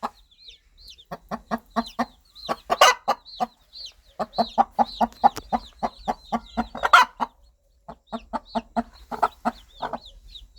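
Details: A mother hen clucks steadily to her baby chicks, low rapid clucks repeated in runs with louder rough notes, while the chicks answer with many thin high downslurred peeps.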